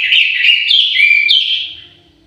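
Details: Loud continuous warbled phrase from a caged orange-headed thrush, rich slurred whistles with shifting pitch, fading out after about two seconds.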